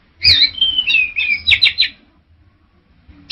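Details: Male orange-headed thrush singing a rich, warbled phrase of clear whistled notes that slide and flutter through a high register for nearly two seconds, followed by silence and one brief high note at the end; faint low hum underneath.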